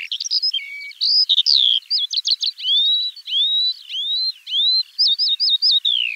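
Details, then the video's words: Eurasian skylark song: an unbroken, high, twittering stream of rising and falling whistles, sharp chips and repeated zigzag notes, pouring on without pause. "Kiurun / Leivon laulua | Skylark Singing"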